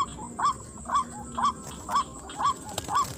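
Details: White-breasted waterhen call in a rice field, used as a lure: short arched nasal notes repeated steadily about twice a second, with a faint high hiss of insects and some low rumble behind.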